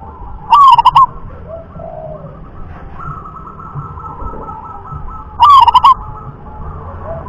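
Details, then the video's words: Native wild zebra dove of the rhythm class: two brief phrases of rapid, bubbling coos about five seconds apart over a continuous low hum. "jenis suara perkutut lokal kelas irama"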